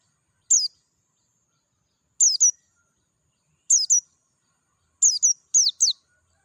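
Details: Oriental white-eye, Dakun type, singing free in nature with a clear voice: high, slurred chirps that start singly, then come in pairs and finally in a rapid run of several notes.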